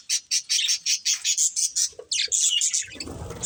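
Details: Budgerigar breeding pair: a regular series of clipped high chirps, about four a second, then denser chatter and a burst of broadband rustling at the end.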